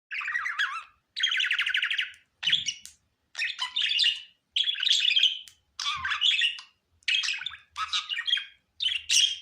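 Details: Pet budgerigar giving a cheerful, happy warble: bursts of rapid chattering chirps and buzzy trills, each phrase about half a second to a second long, separated by short pauses, with faint low thumps in between.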